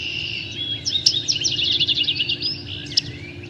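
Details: Yellow-rumped Warbler giving two strong, sharp chip notes about two seconds apart, with a Vesper Sparrow's rapid, buzzy trilled song and low hum in the background.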